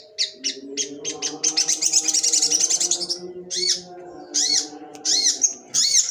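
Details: Sembur-style song of a long-tailed shrike: a dense, fast run of scratchy high chatter, then separate loud arched notes, with a steady low mechanical-sounding hum in the background.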